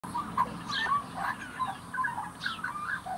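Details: Juvenile Australian magpie kept as a young bird, practising its song: soft, quiet warbled notes, short tonal phrases rising and falling, with faint background hiss.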